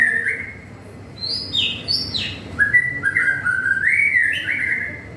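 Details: White-rumped shama on a drizzly afternoon, delivering a varied run of clear whistled notes that jump between higher and lower pitches, against a continuous soft background hiss.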